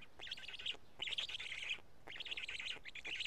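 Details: Black stork chicks at a Karula nest during a feeding of two big fish, 31 May 2017 midday; quick, grating, stuttered notes in three clear bursts, each under a second, separated by short gaps.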